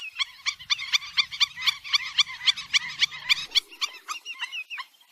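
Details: Black-winged stilt, locally gagang bayam empang or burung anjing-anjingan, in a fast, fairly steady series of loud yapping notes, about four per second, that break into looser, scattered calls after three seconds. A faint low rumble underlies the first part.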